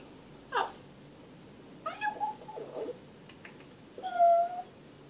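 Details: A talking African grey parrot gives three brief voice-like utterances over five seconds, harmonic and nasal, the last a drawn-out cat-like meow, in a quiet room.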